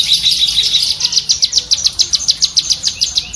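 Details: Cucak kinoi bulbul giving a rapid 'tembakan' chatter, used as tutor audio for pet songbirds: a fast run of sharp, high, dry notes, about three to four per second, steady throughout.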